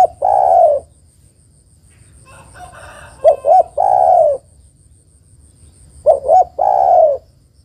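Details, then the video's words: Female spotted dove calling the male: a drawn-out coo, then two phrases of paired short notes each followed by a long mellow coo, about three seconds apart. A faint rustle is heard between the first two calls. "TEKUKUR BETINA MEMANGGIL JANTAN"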